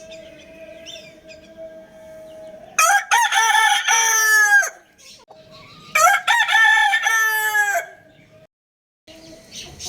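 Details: A Lohmann Brown rooster crows twice, each loud cock-a-doodle-doo lasting under two seconds with rich harmonics that rise then fall, about three seconds apart, over a steady low hum and faint background chirping.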